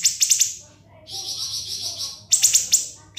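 A siri-siri bird gives quick, sharp, very high chips in bursts, then a long buzzy trill, then more rapid chips; a faint low hum underneath.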